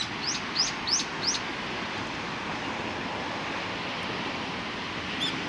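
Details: Sparrows on 15 October 2018: four quick, bright, rising chirps at the start, then mostly steady broadband background noise with one faint chirp at the end.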